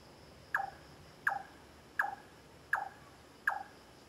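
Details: Large-tailed nightjar in Singapore on 9 March 2014, repeatedly 'chionking': sharp knocking chonk notes, each dropping quickly in pitch, repeated about every three-quarters of a second, five in a row over steady background hiss.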